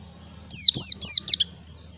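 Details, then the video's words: A single rapid ngalas phrase from a white-eye lure for young birds learning to sing: four bright, high notes, each swooping downward, run together in under a second. "pancingan pleci belajar ngalas 1 2 3 ketukan"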